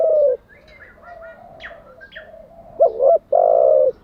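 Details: Spotted dove cooing for training decoy birds; a single coo opens, then softer chirps and distant cooing fill the middle before a loud doubled coo and a long sustained coo close the phrase.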